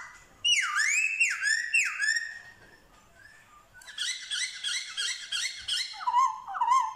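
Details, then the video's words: Black-throated laughingthrush in Vietnam, a wild-caught bird trained in forest song, mimicking dogs, cats and chickens; loud sweeping whistles dip then rise in three phrases, followed by a dense burst of harmonic chattering notes and lower warbled whistles. "Khướu bạc má hót giả giọng chó mèo gà như thật"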